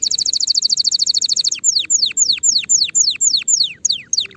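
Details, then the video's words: Canary song used to train young birds ahead of next season: a quick ringing trill for a second and a half, followed by about ten evenly spaced, sharply descending whistles. "تغريد كناري لتسميع وتجهيز الفراخ مبكرا لموسم القادم"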